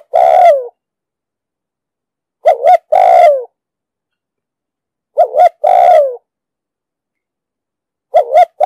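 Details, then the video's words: Spotted dove giving deep, thunder-toned urging coos, used to lure wild doves into traps and to train newly caught birds. Clean, loud coo phrases: a short double note, then a long falling note, repeated roughly every two and a half seconds. "Tiếng chim cu gáy giọng đồng sấm,thúc gù bài bản"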